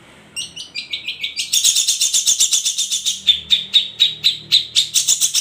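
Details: Long-tailed shrike, known locally as cendet, singing in "ombyokan" style: a rapid stream of harsh, high chattering notes repeated about four per second, starting with shorter chips and building into a loud, dense, scratchy run.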